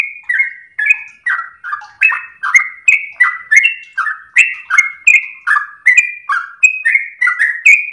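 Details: Sooty-headed bulbul in sweet, sustained song intended to train and provoke other birds, a long, even series of about twenty whistled notes dropping between two pitch levels, each beginning with a high click.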